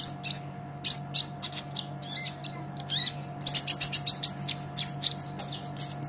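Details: High, hurried olive-backed sunbird song for training songbirds: shrill chirps building into a fast run of rapid, clipped ticking notes near the top of its range, a low electrical hum throughout.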